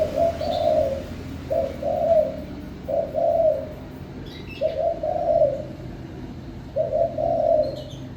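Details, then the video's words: Spotted dove cooing steadily: each phrase is a short coo followed by a longer, rolling coo, repeated about every two seconds over low background noise. "chim cu gáy hót cực hay"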